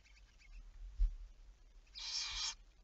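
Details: Barn owl recorded at night, 11 May 2019 at 23:34, uttering one short rasping hiss near the end after a faint low knock.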